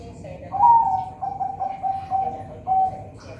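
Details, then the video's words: Farm-raised zebra dove in Semarang, Indonesia, giving a rhythmic run of soft, hollow coos, the first note slightly higher and longer, followed by several short even notes and a final drawn coo, with faint background noise. "Suara perkutut"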